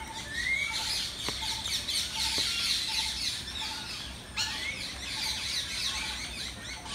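Rose-ringed parakeets give shrill, harsh screeching chatter that runs on almost without a break, with several birds overlapping and a soft repeated mid-pitched note beneath.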